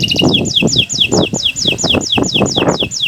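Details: Canary master recording to get silent canaries singing: repeated downslurred whistles about every third of a second over loud low rumbling background noise.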